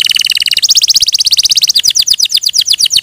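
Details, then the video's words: Canary song built from rapid, high-pitched trilled phrases. Each phrase repeats one syllable many times, and the bird switches to a new syllable type about every second, ending in quick descending notes. "Suara Burung Kenari"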